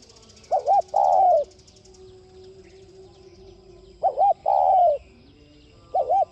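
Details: A spotted dove's coo, played to stimulate other doves to coo. A short doubled note leads into a drawn-out falling coo, heard as two full phrases and the start of a third, over a low steady hum and faint chirps.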